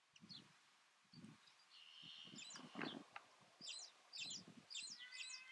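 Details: Trumpeter finch (Bucanetes githagineus amantum), Fuerteventura, Canary Islands, Spain, February 2007: a drawn-out nasal buzzing note, then quick high chirps in small repeated bursts, over low wind thumps.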